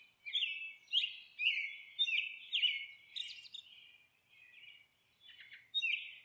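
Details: Monk parakeet squawking harshly while nesting, grating notes roughly every half second, thinning into quieter scratchy sounds toward the end.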